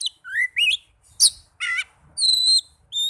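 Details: Oriental magpie-robin, recorded as singing therapy for young or silent birds: rising slurred whistles, a harsh burst, a rippling warble, then long level high whistles delivered loud and clean.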